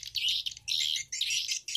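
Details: Stereo lure recording of edible-nest swiftlet calls for swiftlet nest-house farming: three bursts of shrill, buzzy chattering twitter, each about half a second long, separated by brief gaps.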